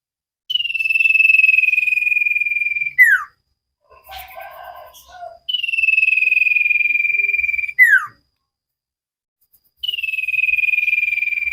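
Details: Cage-bird training recording of a common iora singing: long even trilled whistles, each ending in a quick descending slur, repeated three times with a brief soft noisy passage between the first two.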